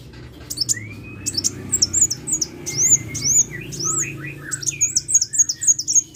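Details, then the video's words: Vigorous sunbird singing in short clusters of very high, sharp, hooked chirps, with a long thin whistled note lower down early on, against a noticeable rumbling background hiss. "KICAU BURUNG KOLIBRI GACOR"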